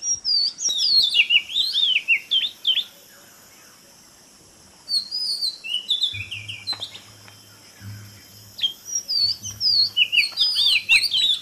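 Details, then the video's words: An Oriental magpie-robin (Copsychus saularis) sings varied, sweet whistled phrases with rising and falling slurs, in bursts separated by a short pause, over a low hum. "Oriental Magpie Robin മണ്ണാത്തിപ്പുള്ള്"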